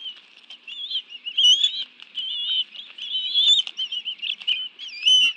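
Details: High thin whistled chitters from a Bald eagle family at a nest in Washington, D.C.'s National Arboretum, afternoon of 11 June 2017, two adults having delivered fish to two young; the notes waver and rise in bursts, with occasional wing or rustle noise.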